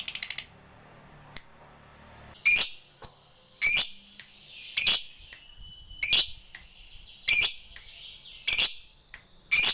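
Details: Sharp, high lovebird squawks used to provoke a fighter bird, short harsh bursts spaced roughly one second apart with brief quiet gaps between.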